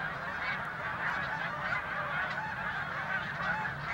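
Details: Large flock of snow geese clamouring without pause, dense overlapping high nasal yelping honks, as they circle and land in a corn field to feed on spilled corn, repeatedly flushed a little farther by an approaching person.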